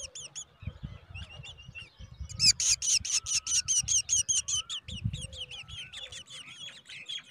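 Black drongo chicks give rapid, high, squeaky begging chirps, several at once, swelling into an intense chorus midway; low rumbling handling noise underneath.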